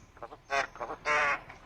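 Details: Talking common myna: harsh, raspy, speech-like bursts, a short one followed by a longer grating phrase, with a person's voice close by.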